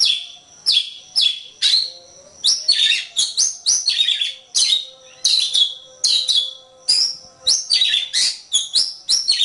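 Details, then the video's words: Kacer, the Oriental magpie-robin, delivering a long varied song for songbird training: sharp whistles mixed with harsh chattering notes in dense bursts, barely pausing, with a faint steady hum underneath. "Ocehan Suara Burung Kacer"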